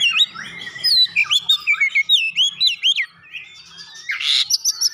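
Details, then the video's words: Oriental magpie-robin singing Java sparrow imitations: fast run of sweet whistled slurs and chips, rising and dropping, ending with a harsh grating burst and high notes. "kicauan Kacer isian gelatik batu"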